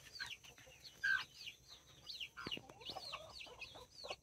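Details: Nine chicks of mini and Brahma breeds beside two mother hens, October 24, 2024. Overlapping thin peeps sweep down from high pitch, one brief louder whistle near the start and a few low clucks later.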